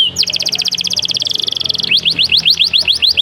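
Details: Canary singing loudly: a rapid buzzy trill of repeated notes held steady for nearly two seconds, then a series of quick rising whistled slurs repeated several times a second.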